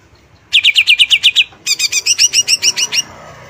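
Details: Greater green leafbird singing: a quick run of about eight sharp, bright chirps, a short pause, then about ten upslurred whistled notes delivered rapidly and evenly, over quiet background.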